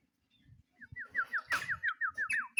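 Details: Actively singing sooty-headed bulbul calling a rival: a rapid sequence of about a dozen bright, downward-slurred whistled notes at an even pace, with a brief noisy burst partway through.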